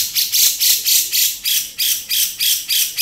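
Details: Male grey-cheeked bulbul giving beset song, loud grating rasps repeated steadily about three to four times a second.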